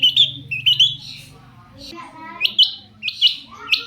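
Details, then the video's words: Long-tailed shrike singing, used as a lure to make other shrikes answer; sharp, scratchy chirps and short rising phrases in quick bursts, with a low humming tone early on and a brief pause mid-way. "cendet gacor pancingan burung cendet agar cendet bunyi INI AMPUH BIKIN burung cendet lain NYAUT"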